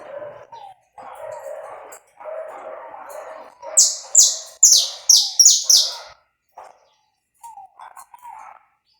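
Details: Live uncut recording of a saffron finch singing to warm up another bird: a run of six bright, piercing high chirps in about two seconds, over a murmur of low background noise and a few soft, lower whistled notes.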